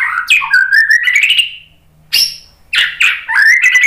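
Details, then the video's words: White-rumped shama song, played to provoke other birds into answering: loud rich whistled phrases, a long sliding warble rising gradually, then sharp downslurred notes and bright trilled phrases with a faint low hum beneath. "SUARA MURAI BATU Untuk Memancing BUNYI jadi NYAUT GACOR"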